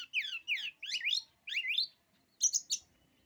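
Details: Oriental magpie-robin song meant to intimidate rival birds: four slurred, rising-and-falling whistled phrases in quick succession, followed by two or three harsh buzzy clicks.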